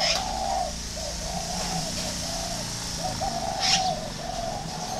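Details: Spotted dove from a northern Vietnamese dove garden near Ba Vi delivering a chain of mellow low coos, some doubled. Two brief high squeaks cut in from another bird.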